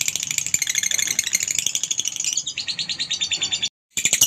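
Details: Lovebird ngekek, sung as a lure to draw other lovebirds into song: a continuous shrill, rapidly pulsing chatter that drops a little in pitch midway, broken by a brief gap.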